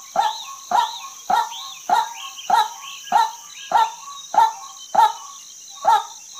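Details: Female white-breasted waterhen repeating a loud, rasping note about every 0.6 seconds, eleven times, while soft arching whistles and a shrill insect hum carry on beneath.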